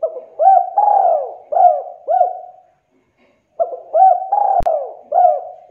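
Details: Spotted dove, known locally as derkuku or tekukur, played to stir lazy doves into calling; two phrases of mellow low coos, each several arched notes, separated by a second of silence, with a sharp click near the end.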